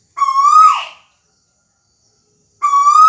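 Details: Tuwu bird singing: two loud, clear whistled notes, each about a second long, rising slightly in pitch and ending in a quick downward slur, separated by about 1.5 seconds of silence.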